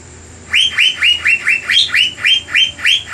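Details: Lure recording of an Asian fairy-bluebird singing vigorously to stir rival birds: after a half-second pause, a fast series of about ten bright rising whistles, roughly four per second, steady and insistent, with low hum underneath.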